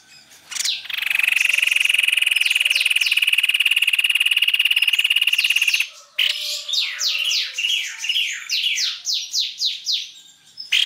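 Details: White-necked babbler lure recording: a long, steady, buzzy pulsed trill for about five seconds, then a busy series of quick, sharply falling whistled notes and chirps.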